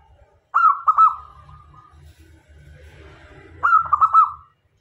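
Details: Decoy zebra dove of a local strain singing to lure doves in: a bubbling series of quick coos ending in a slurred tail, a low murmuring gap, then another rolling coo phrase.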